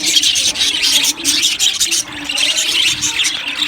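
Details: Budgies in an aviary chatter in a crowd, with high twittering bursts and scratchy squeals rising and falling, and short lulls between them.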